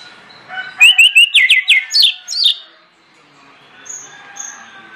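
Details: Orange-headed thrush song, used as a lure to trigger other birds: a quick run of sharp, clipped whistled notes in rapid succession, then faint high calls over low background noise.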